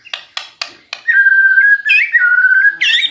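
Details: Magpie-robin song used as a lure to prompt a quiet bird to reply: four sharp clicks, then a long steady whistled note that bends upward into brighter warbling.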